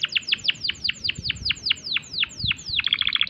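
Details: Canary in breeding condition delivering a 'tembakan' burst: a steady run of falling whistled notes, several per second, closing in a quicker chattering trill over a low background rumble.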